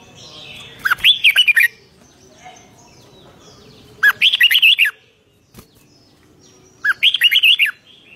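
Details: Red-whiskered bulbul giving energetic 'rik'-style song, 2023: three short, rich warbled phrases of looping whistled notes, repeated roughly every three seconds, with faint low background hum between and one sharp click.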